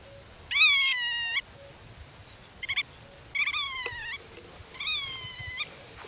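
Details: Black-tailed godwit defending its nest, talking with chicks hidden in the grass and guarding territory against intruders; loud nasal rising-falling calls in three bursts, with shorter notes between, faint background hiss.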